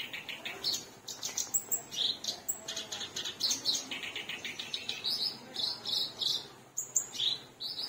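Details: Lively black-browed reed warbler song, rapid repeated scratchy syllables alternating with shrill whistled phrases and rising squeaky notes, sustained throughout.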